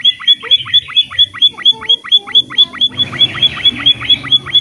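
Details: Emprit (pipit finch) singing vigorously, a lively recording for training other birds to sing: a fast string of short, sharp, downslurred chirps with a bright high whistle on top, about two per second, steady throughout.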